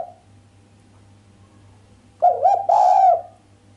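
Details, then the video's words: After a quiet stretch, a female island collared dove coos sharply without the 'kuk', a call said to excite the male: two clipped, upturned notes, then a prolonged even coo, over faint electrical hum. "Suara derkuku betina mbekur tajam tanpa kuk bikin sang jantan greget"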